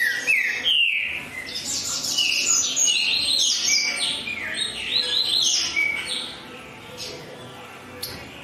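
A green-winged saltator sings a rapid, rich run of clear whistled and slurred notes, phrase after phrase with hardly a pause, fading near the end.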